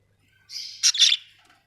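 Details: Budgerigars, several birds, with a single buzzy, grating chirp that starts softly and swells into two loud, scratchy pulses before fading away.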